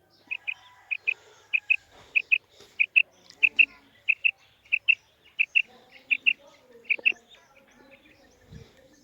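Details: Female quail calling, with short high notes given in quick pairs, the pairs repeated at a steady pace, roughly one and a half per second, over faint background chirps.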